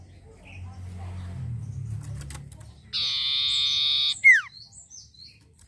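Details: Sirtu or long-tailed shrike singing lustily: low background hum, then a harsh, sustained buzzy note and a steep downward slur, with a few thin high chips after.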